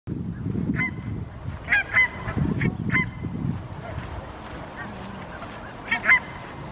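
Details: Barnacle geese grazing in a park in Helsinki, Finland, September 2021, communicate with short sharp yapping barks, single or in quick pairs, about seven in all, over a low background rumble.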